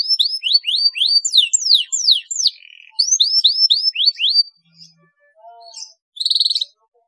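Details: Canary song played to stimulate other canaries to sing: fast series of rising slurred whistles repeated several times a second, a pause with faint low notes, then a short buzzy trill.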